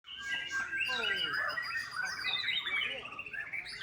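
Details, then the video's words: Young white-rumped shama of a Bali farm bloodline, singing a dense, varied run of whistled and chattering phrases, with sliding notes and quick trills overlapping, in a steady continuous stream. "MURAI BATU MUDA"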